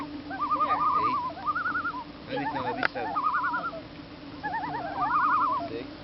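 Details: Common loon on Squaw Lake in Wisconsin, giving wavering, yodel-like tremolo calls in several bursts, with a steady motor hum from a nearby boat and a sharp knock midway.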